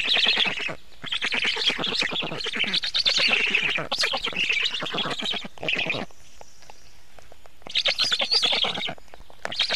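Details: Black stork nest at 19:52 on 24 June 2017 during feeding: loud, scratchy, fast-pulsed chattering in long runs, a quieter lull near the middle, then a renewed burst.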